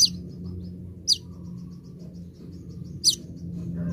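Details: Sunbird sound used to lure birds: sharp, very high descending notes about every two seconds, linked by a thin series of soft high ticks, over a low background rumble.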